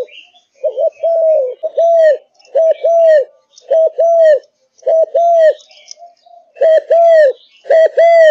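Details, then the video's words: Caged Malaysian spotted dove singing eagerly: rhythmic low coos, a pair of short notes then a held falling note, about seven phrases in quick succession, with faint chirping behind. "Cu Gáy Malaysia Căng Lửa, Chơi Từ Sáng Tới Tối"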